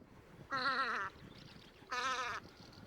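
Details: Velvet scoter recorded at Liepāja, Latvia, in March 2024: two drawn-out, wavering nasal calls, each about half a second long and rich in stacked harmonics, separated by a pause of nearly a second.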